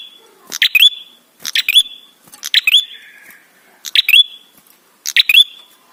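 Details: Ashy tailorbird song, used as a lure to make other tailorbirds sing. Five loud phrases at about 1.2-second gaps. Each phrase is a burst of sharp, dry clicks, then a bright rising whistle that levels into a thin, sustained tone.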